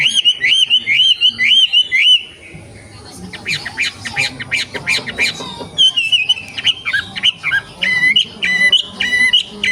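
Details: Young wild wambi from the forest, singing loudly. It opens with a run of looping, rising whistles, then harsh squawks and rattling bursts, then varied sharp whistled phrases repeated in quick succession.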